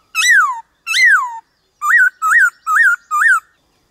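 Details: Varied-voice song of a white-cheeked laughingthrush used to stimulate other birds: two long arching whistles, then four short ringing rising-falling notes in steady succession.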